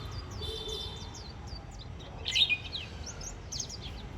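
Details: Warbling white-eyes chattering on the first day of autumn: many thin, high, quick chirps and short downslurred twitters overlapping one another, with a louder burst of notes midway and a low rumbling background hum.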